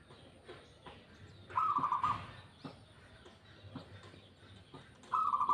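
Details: Local zebra dove singing: two short, fast-pulsed cooing trills, each about half a second, mid-pitched and bright, spaced about three and a half seconds apart, over faint chirps from other birds and a steady background hiss.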